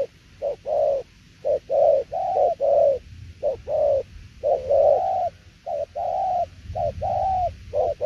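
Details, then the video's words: Spotted dove in 'đồng tiểu liên nước' cooing: clusters of low soft coos, some clipped and some drawn out, with uneven pauses and faint low rumble behind. "Đồng tiểu liên nước chơi quá hay luôn ae ơi"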